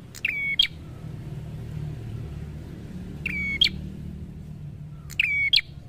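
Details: Prinia in energetic song, used as training audio for caged birds: three click-whistle-chip phrases with long gaps of two to three seconds, over steady low rumbling background noise.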